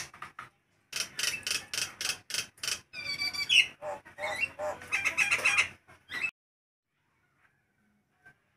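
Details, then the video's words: Nias hill myna singing loudly in hot weather, a vocal lure recording: a burst of harsh broadband squawks and rapid strokes, then ringing whistled notes and chatter, ending in silence after about six seconds. "Suara Kerasss!!! jalak nias walau cuaca panass"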